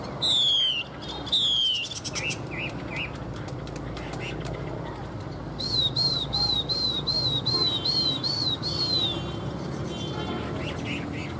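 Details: Caged Chinese hwamei in fighting song with its tail fanned: two clear, falling whistles, then a quick run of about eight high, looping notes, with faint clicks and a low background murmur.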